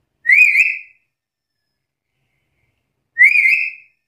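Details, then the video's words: Loud black-capped lory challenging a rival: two strident, wavering whistles about three seconds apart, each under a second long, with clean silence between. "Suara burung nuri kepala hitam gacor menantang lawan"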